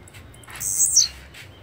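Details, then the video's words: Blue-black grassquit giving its brief song: a wheezy, high, buzzing note that rises in intensity and then drops off in roughly half a second. "Canto de Chirrio (Volatinia jacarina)"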